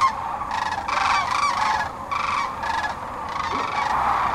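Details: Spring flock of sandhill cranes on central Nebraska's Platte River, mid-March 2009, resting before continuing their northward migration. Rattling, bugling calls come in repeated bursts of overlapping voices over a constant background murmur of a large crowd of cranes.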